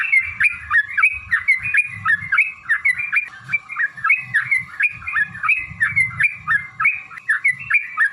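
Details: Yellow-vented bulbul in sustained fighting song used to make other bulbuls sing: evenly paced, bubbly rising-and-falling notes about three per second throughout, with soft low thumps beneath and a faint constant hum.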